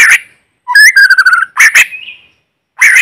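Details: White-rumped shama singing in forest as a lure bird, recorded clean: harsh buzzy notes, then a quick run of whistled notes falling and rising, a rising slurred whistle, and a final harsh burst.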